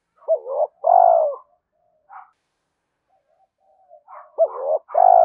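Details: Repeated spotted dove coos for training decoy birds: two-part phrases of a short note and a long, steady, falling coo, with soft faint notes between them and a final phrase cut off.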